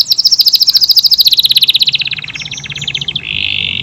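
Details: Canary of AF type singing: a long, very fast trill of high notes gradually dropping in pitch, then a short buzzy, sustained rattle at the end.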